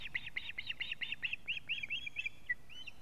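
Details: Male osprey alarm calling at its nest in Latvia as it brings a living fish, recorded by a live nest camera on 19 July 2017 at 19:43. About a dozen sharp, whistled, slightly downslurred notes follow in quick succession.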